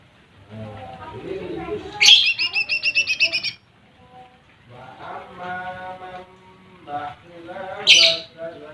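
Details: Lesser green leafbird singing to stir up rival birds. A harsh rasping note opens a quick series of bright, high chipped notes. Softer warbled phrases follow, then another harsh burst near the end.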